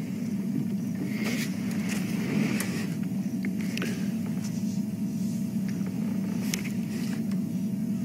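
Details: A car engine rumbles steadily throughout a sunset safari drive, broken by scattered clicks and knocks, with a faint voice and no animal calls.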